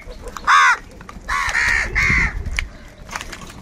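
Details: Crows fighting for food: one sharp loud caw followed by two longer, drawn-out harsh caws, then quieter calls in the distance.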